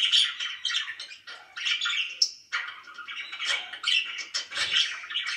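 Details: Pet budgies chirping happily, a lively mix of buzzy warbles, squeaky tweets and rasping notes, with a short lull midway before chatter resumes.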